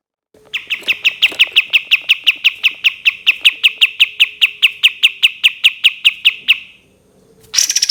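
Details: Cream-vented bulbul giving its long 'tembakan' shooting trill, a tutor recording: about twenty-five sharp, evenly spaced notes pour out for six seconds, then stop. A brief, very high burst follows.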